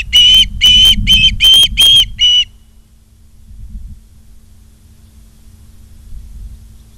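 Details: Nesting ospreys in Charlo, Montana, filmed by a live nest camera on 28 August 2023 at 16:08: six loud, ringing whistled notes in quick succession, then the calling stops, leaving only faint low rumble.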